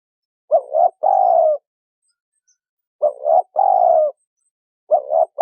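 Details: Female spotted dove calling to stimulate a male to coo, a clean coo phrase of two short notes and a longer drawn-out note near 700, repeated three times with pauses of about two seconds, no other sounds.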